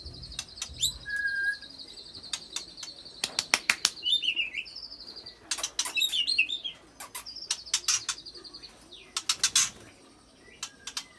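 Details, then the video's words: White-rumped shama singing to provoke other fighter shamas into song, its song filled with mimicked cililin and canary notes: a long, buzzy high trill held steady, broken by sharp clicks and short chirps. "Bongkar Isian Murai Isian Cililin Sambung Kenari Ngerol Panjang"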